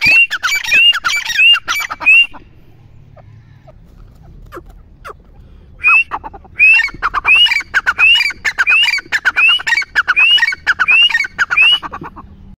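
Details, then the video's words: Grey francolin (teetar) calling in two bouts: a short run of rising whistled notes with harsh clipped notes, a pause of several seconds, then a longer series of about nine rising whistles roughly every 0.7 seconds. "teetar ki awaaz"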